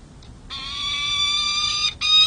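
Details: Peregrine falcon at the San Jose City Hall nest on April 13, 2023, where a young tiercel guards three eggs and defends territory. One long, steady, harsh wail lasts over a second, followed by the start of another after a brief break.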